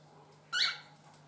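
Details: A cockatiel gives one brief, harsh, raspy squawk over a steady low hum while an adult feeds a one-month-old chick.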